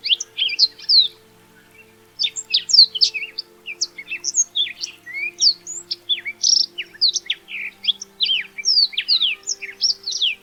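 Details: Black-throated canary; song; communicating with other members of its species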